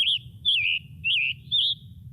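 Scarlet Tanager giving four hoarse, burry, slurred notes, high-pitched and about two per second, over a faint low rumble.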